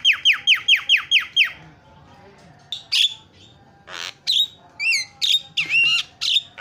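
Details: Javan myna (jalak kebo) masteran with fill-in song to make mynas call loudly: a rapid series of seven descending whistled notes, then a scattered mix of harsh squawks and bent, twisting whistles.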